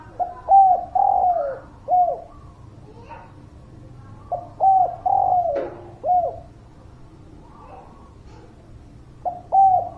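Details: Spotted dove lure song for reluctant birds: low, mellow cooing phrases repeated about every four seconds, each a short note, a long falling coo and a final falling note, with faint clicks between.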